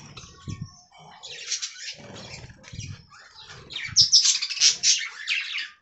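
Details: Budgies in an aviary colony: rapid scratchy chirps and warbles swelling into a louder chattering burst toward the end, over soft low bumps and flutters.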